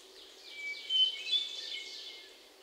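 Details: Hermit thrush singing in Sudbury, Massachusetts, on June 29, 2023, captured with a Sony PCM D50 and lavalier mics: a long steady whistled note, then a quick cluster of higher fluty, ringing notes over quiet background hiss.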